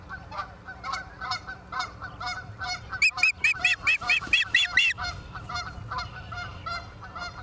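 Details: Osprey at the nest, Charlo, Montana, 28 September 2023, 17:45: a burst of about nine loud, ringing, high whistled chirps rises out of continuous lower honking and chattering calls from other birds.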